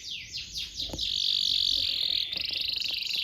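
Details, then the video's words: Canary song played as a tutor for young canaries: a dense, buzzy high trill with sliding whistles, ending in quick pulsed notes, over a hissy, noisy background. "PANCINGAN KENARI GACOR DURASI PANJANG UNTUK MASTERAN KENARI PAUD BELAJAR BUNYI DAN GACOR"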